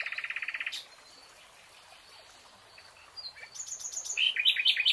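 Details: A nightingale among forest greenery: a quick burst of repeated notes, a lull with soft background chirps, then very high rapid pips and a loud, chattering run of repeated buzzy notes.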